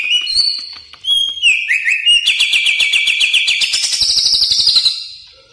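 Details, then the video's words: Greater green leafbird singing a rich, varied song used to provoke other birds into answering: clear whistles and slurred notes, then a fast run of bright chattering trills around high pitch. "Cucak Ijo Gacor Bongkar Isian Mewah"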